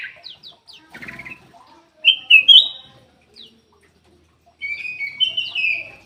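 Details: Kutilang emas bulbul song used to prompt lazy caged birds. Scattered high chips and soft chatter lead to two loud whistled notes, then a quiet spell and a final bright whistled warble.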